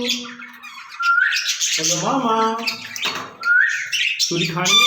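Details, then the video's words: Caged ringneck parrots said to talk with each other in Urdu and Hindi. A mix of voice-like, harmonic mid-pitched utterances, rising whistled notes and rough squawks, with some sounds overlapping. "Speaking Parrots in Cage"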